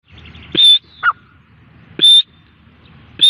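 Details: Grey francolin calling: loud, high, clear whistles. A shorter, lower note sits between them. The phrase repeats about every one and a half seconds over a faint low background hum.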